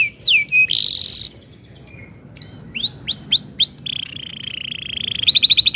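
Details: Energetic canary singing a long song used as a lure to get young canaries singing: downward whistled sweeps, a harsh buzzy burst, a run of quick rising arcs, then a steady buzzy roll ending in a rapid pulsed trill.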